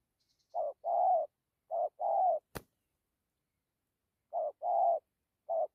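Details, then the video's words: Spotted dove cooing in the thổ, dặm and gù styles: two paired short-and-long coos, a sharp click, a pause of nearly two seconds, then further coos; faint high chirps at the start. "Thổ tốt tiếng gù tốt dặm kèm gù"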